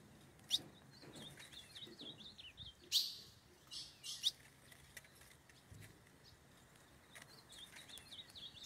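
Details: Wild male ultramarine grosbeak, fired up and singing freely in forest while courting a female; short whistled, warbling notes in quick phrases between sharp chip calls, faint high hum behind.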